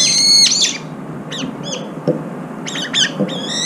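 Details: Several brown-eared bulbuls gathered to eat, competing for food; a bird lame in its left foot feeds too. Loud harsh squealing calls with stacked harmonics open and close the passage, short sharp notes between, faint low background noise.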